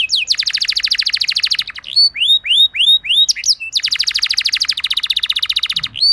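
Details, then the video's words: Rolling canary song played as bait to set other canaries singing: two long, very fast pulsing trills framing a short sequence of rising, upslurred whistles and sharp chips. "Cukup Putar Sebentar Saja Burung Kenari Lain Bakal Langsung Ikut Gacor Ngerol Mewah Dengan Pancingan"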